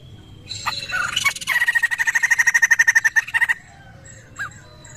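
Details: Lure recording of a laughingthrush, played to prompt poksay birds to reply: a burst of fast, pulsed notes lasting about three seconds, followed by one short isolated note.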